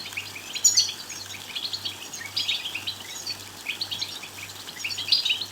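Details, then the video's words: Goldfinch singing, meant to stir another goldfinch into song: continuous rapid twitters and tinkling high notes in bursts, some sharper squeaky accents, over a faint constant low hum. "بتبتات لتحفيز الحسون على الغناء والتغريد بصوت قوي"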